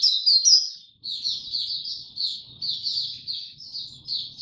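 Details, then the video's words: White-eye song recorded 26 March 2022 in warm, very humid weather: a loud opening twitter, a brief silence, then steady high chirping phrases over faint low rumbling. "Mata Puteh Hercules buka sing"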